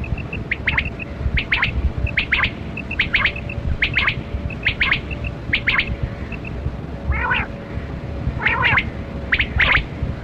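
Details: Kali kirak quail (batera) calling during a quail hunt: sharp, buzzy chirps in quick pairs and triplets, repeated roughly every second, with faint short tonal pips from another bird and a steady low hum behind.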